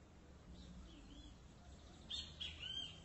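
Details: Great kiskadee delivering a three-note shrill phrase near the end, clipped notes then a longer downslurred whistle, preceded by faint far-off calls.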